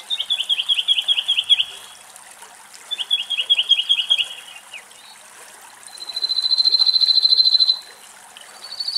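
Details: Song thrush singing in Greek woodland where two thrushes drink rainwater: bright high phrases, a short note repeated rapidly about eight times, a pause, the phrase repeated, then a long buzzy trill.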